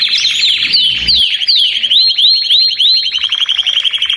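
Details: Belgian canaries singing together as stimulus for other canaries; a quick series of rising whistled slurs repeated about three per second, then a fast dry rattle, with a soft low thud at the start.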